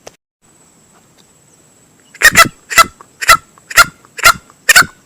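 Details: Male green junglefowl sound used for hunting lures: two quiet seconds, then six loud, gravelly bursts spaced about half a second apart, each slightly doubled, with a faint high whine.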